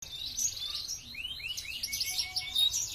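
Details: Canary song used as a training recording for other songbirds: high sweeping chirps and rising slurred notes, mostly faint, with a rapid buzzy trill near the end.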